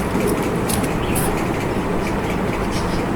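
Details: A continuous low-pitched rumble like a train or heavy vehicle fills the recording. No distinct animal voice stands out above the noise.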